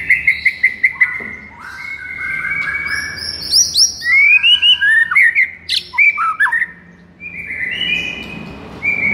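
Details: White-rumped shama song for rousing a listless shama: a quick burst of repeated whistles, a longer sustained passage, then loud varied slurred whistles with high sweeping notes, ending in steady held tones.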